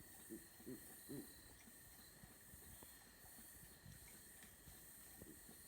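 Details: Owl; call; calling to each other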